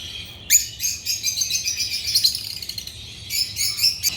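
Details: A sudden burst of shrill chirping from African lovebirds (Agapornis) runs into rapid, high twittering chatter, then eases and ends in a few more short high chirps.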